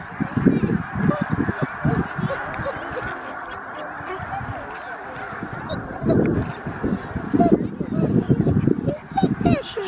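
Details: Huge flock of snow geese, Middle Creek Wildlife Management Area, Stevens, Pennsylvania, USA, 26 February 2023. Constant overlapping honks and yelps, with bursts of louder calling at the start and toward the end.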